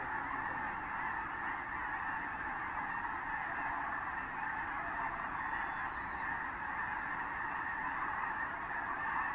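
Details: Snow Geese by the thousands, mixed with other species, coming down onto fields of San Joaquin River National Wildlife Refuge in January 2014; a continuous wall of massed honks, with a few faint higher squeaks near the end.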